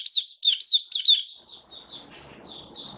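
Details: Caged Oriental white-eye recorded 27 October 2022 during buka sing singing: a few high, down-slurred twitters that soften into quieter, blurred notes over faint low background noise.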